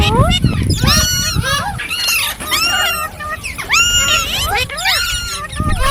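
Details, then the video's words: Several green parrots giving curved whistles and harsh squawks in bursts, with brief pauses and low background rumble. "Beautiful Green Parrots Talking | Funny Parrot Sounds"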